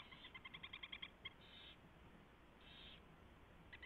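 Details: Pre-dawn owl nest recording, 4:21 AM on 24 February 2016, as a mouse is delivered and fed: a quick run of clipped, reedy notes, then two drawn-out hissing rasps and a few more notes, with low hum behind.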